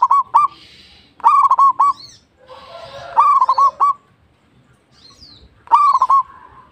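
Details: Local zebra dove (perkutut) in full, ready-for-battle song: four loud phrases of low rolling coos, each a sharp rising note then two or three quick broken coos, repeating about every one and a half seconds, with other birds chirping high.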